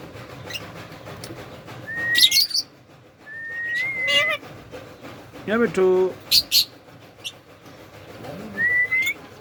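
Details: Talking pet Indian ringneck parrot while bathing: rising whistles spaced a couple of seconds apart, a short speech-like phrase, sharp high squawks, then one more upward whistle.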